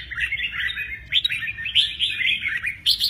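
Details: Red-whiskered bulbul, wings flicking, gives 'mơ ché nẹt' song as a continuous warbling stream of bright, quick, rising and falling whistles for about three seconds.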